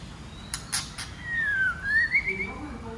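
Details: Female white-rumped shama, kept to provoke males into singing and fighting, gives a smooth whistled phrase that dips then rises into a short trill, preceded by three sharp clicks.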